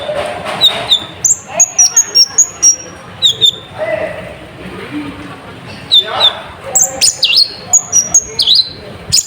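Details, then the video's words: Lively sunbird singing meant to rouse other birds, a string of high, thin whistles and quick sweeping chirps in rapid clusters, separated by short pauses, over soft background noise. "Pancingan Burung Konin Gacor Full Isian"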